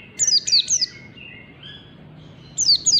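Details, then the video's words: White-eye learning the fast ngalas song style: two bursts of sharp, high, downward-slurred chirps in quick threes and pairs, with a faint thin whistle between them. "MEMANCING PLECI BELAJAR BUNYI CEPAT NGALAS"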